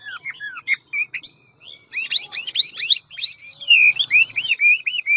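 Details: Large, handsome Hwamei delivering a fast song in the wild-forest style with many voices; varied slurred whistles give way to a rapid cascade of high upswept notes, then repeated looping whistles.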